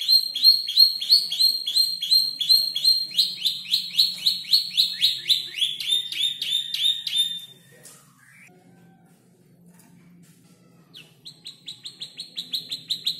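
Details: Canary aged about five months learning to order its song, mixing in imitations of ciblek, clicking sounds and prenjak lumut; long run of rapid repeated high notes, a quiet gap, then rapid notes start again.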